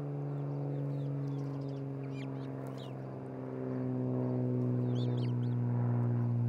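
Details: Osprey pair at their nest near a great horned owl family in Charlo, Montana, recorded by a nest camera on 27 June 2018. A few short, sharp, upslurred whistled chirps sound faintly above a heavy, steady low hum.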